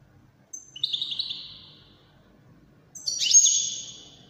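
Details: Two short bursts of European goldfinch song in the Moroccan Widani style, separated by a gap of about a second and a half. The first is a brief buzzy twitter; the second is a higher ringing flourish that fades away.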